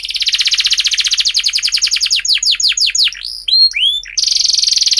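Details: Lure song of a canary for teaching young birds: a fast pulsed trill slows into a run of sweeping downslurred notes and hooked whistles, then snaps back into a dense, high roll.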